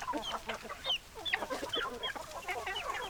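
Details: Hens clucking in a busy flock, rapid overlapping clucks with thin, high chirps scattered through the clucking.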